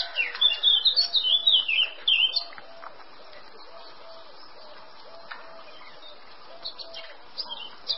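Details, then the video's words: Male Eurasian blackcap singing: a fast, loud warble of high rising and falling whistled notes for about two and a half seconds, then quieter with a few scattered short notes, a faint low repeated tone underneath. "Barátposzáta hím"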